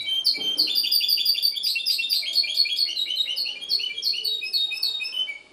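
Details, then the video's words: Goldfinch hybrid from Ksar el Kebir singing a fast, continuous run of bright, high twittering notes and rapid trills, packed densely with little pause and fading at the end. "mixto jilguero ksar el kebir"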